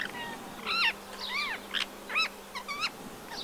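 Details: Rose-ringed parakeet in winter in the town of Empuriabrava, Catalonia, on 26 January 2022, giving about six harsh, screechy, arched calls at an uneven pace over a faint steady low hum.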